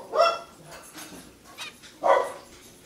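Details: Male zebra finch building a nest for a female, giving two loud, nasal, trumpet-like calls about two seconds apart, with soft chatter between them.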